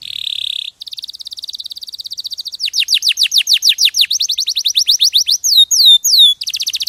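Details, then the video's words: Champion canary song recorded as tutor material for training other songbirds: a dense buzzy trill opens, then a fast rattling tour, a run of sharp descending whistled sweeps, and a few slurred rising-falling notes before another rapid trill. "MASTERAN KENARI JUARA !!! MASTERAN KENARI SUARA JERNIH HD"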